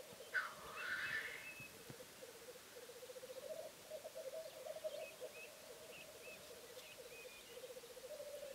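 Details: A male black grouse displaying on a bog opens with a loud, hoarse, rising hiss, then settles into a continuous low bubbling coo; faint high whistles of other birds come and go.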